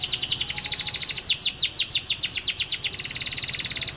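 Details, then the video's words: Canary master song, long and vigorous, for tutoring young canaries: a continuous rapid trill whose notes lengthen into sharper downslurs midway, then tighten again into a fast even roll. "Masteran Kenari GACOR Durasi Panjang‼️ COCOK untuk Pancingan Kenari PAUD dan Kenari MACET BUNYI"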